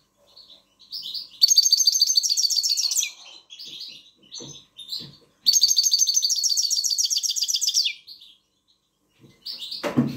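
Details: Himalayan goldfinch; song; tutoring young birds to learn and sing the song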